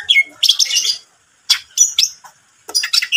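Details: Cucak ijo in lively voice, delivering bursts of sharp high chirps and a clear descending whistle, separated by short silent pauses, with a quick squeaky flourish closing the phrase.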